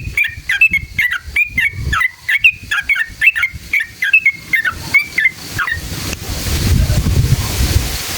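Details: Song of a sooty-headed bulbul, a long rapid wild-style performance played to stir other bulbuls into singing. Brisk whistled notes follow in a steady run for about five seconds, then give way to hissing, rumbling noise.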